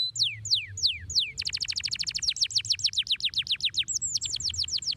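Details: Canary song, long and shrill: a few slow descending whistled sweeps, then a rapid rolling trill of sharp repeated notes about four per second and faster, ending with high whistled slurs.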